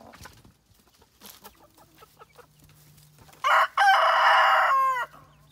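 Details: Rooster gives a loud, harsh, strained crow lasting about a second and a half. Soft scattered clucks and clicks come before it, over a low steady hum.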